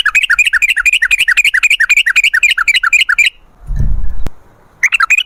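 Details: Long rolling song of sooty-headed bulbul as a lure: quick bubbly notes strung together about four per second, broken by a short thump before the notes resume.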